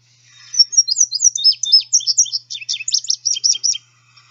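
Indigo Bunting song: a bright, high, finch-like string of sweet notes delivered in quick pairs, lasting about three seconds, with a clean quiet background.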